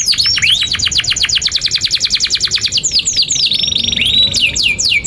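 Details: Singing canary in an Indonesian gacor panjang performance, meant as tutor song for young or silent canaries. Rapid, evenly spaced high trill notes give way to sliding whistles and a sustained warbled tone, ending in quick downslurs.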